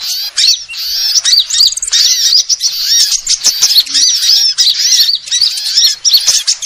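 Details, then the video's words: Various sunbirds in a sound used to lure birds: dense, excited high chirps and sweeping squeaky notes, repeated in quick overlapping bursts throughout. "suara pikat semua jenis burung kolibri"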